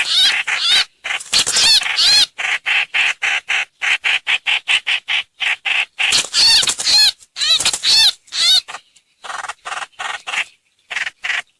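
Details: Lure recording of streak-eared bulbul: series of short harsh calls, first in ragged bursts, then a steady run of clipped notes, then more arched chattering phrases before trailing off into sparse notes.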